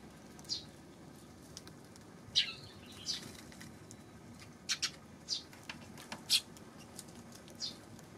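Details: Eurasian tree sparrow recorded on 19 June: short, sharp high chirps scattered irregularly over eight seconds, some single and some in quick pairs, over a steady low background hiss.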